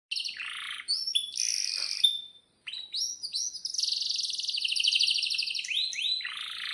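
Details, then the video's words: Domestic canary singing in an excited, full-voiced style meant to prompt other canaries to sing: high whistled notes and buzzy bursts, a short pause, then a long fast rolling trill ending in sweeping notes. "suara kenari gacor panjang AMPUH,, PANCINGAN KENARI AGAR BUNYI JADIKAN BURUNG KENARI GACOR Seketika"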